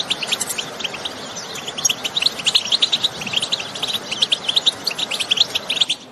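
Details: European goldfinch song and calls in the countryside, used to stimulate other goldfinches to sing: rapid, continuous twittering of high tinkling notes and buzzy trills, dense chatter running throughout with a soft hiss behind.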